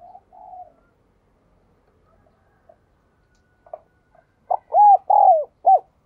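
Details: Spotted dove: soft low humming notes first, then after a pause a loud phrase of short stutters, two drawn-out arched coos and a final clipped coo.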